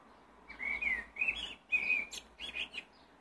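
A blackbird sings mellow, fluty warbling phrases, four short bursts over three seconds, with a thin squeaky twitter tucked in near the end.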